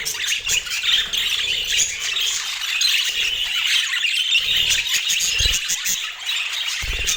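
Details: Colorful budgerigars eating sweet apple keep up a lively, rasping high chatter of chirps and warbles, punctuated by a few low thumps.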